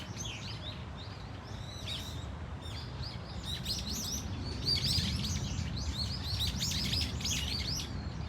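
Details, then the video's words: Varied cries from a Brown-eared Bulbul flock in Dunsan Grand Park, Korea: scattered high chirps at first, building into dense overlapping slurred notes after three seconds, over a low rumbling background. "직박구리 무리 다양한 울음소리 Brown-eared Bulbul sound of crying"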